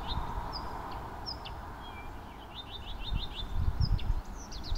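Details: Blyth's reed warbler song at Frantsila in June, a varied phrase of high whistled notes, a slurred glide, then a quick run of five or six repeated downslurred notes, with low rumbling noise beneath.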